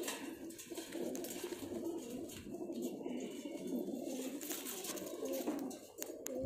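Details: Continuous low cooing from a pair of pigeons, a warbling murmur that barely pauses, over a hissy, noisy background.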